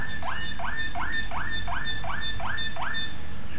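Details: Young Malinois Waterslager canary from 2009 repeating full, rising bubbling notes almost three times a second in a smooth, regular roll.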